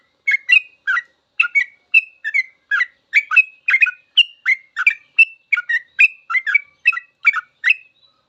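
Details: Continuous 'ropel' song of a yellow-vented bulbul, used as a master for cage birds to learn: dense chain of bright, liquid chirps, some with short whistled slurs, steady throughout.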